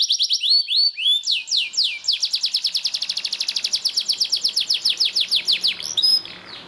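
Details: Rolling song of a Belgian Bossu canary: a few opening sweeps give way to a long, rapid, evenly pulsed trill of descending high notes lasting several seconds, fading at the close.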